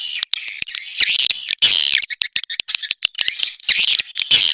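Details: Swiftlet calls from an Indonesian recording shared as a sound for swiftlet farmers: dense, high, buzzy chattering chirps in rapid overlapping bursts, broken by short silent gaps.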